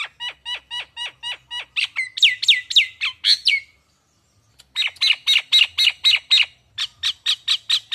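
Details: Lure calls of a caged Nias hill myna bakalan: loud, rhythmic chirping notes in fast runs, some with upward hooks, broken by a single pause of about one second before the series resumes.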